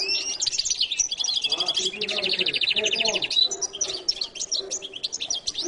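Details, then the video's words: Goldfinch (jilguero latino) singing a rapid, continuous twittering song of high chirps, buzzy trills and quick rattling runs, with a faint low voice murmuring underneath. "canto de jilguero latino"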